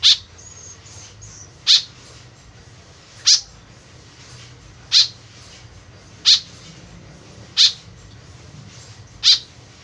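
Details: White-breasted woodswallow (kekep babi) calling actively, its voice used as a lure: six sharp, harsh notes spaced roughly one and a half seconds apart, with a faint thin whistle early on and steady low background hum.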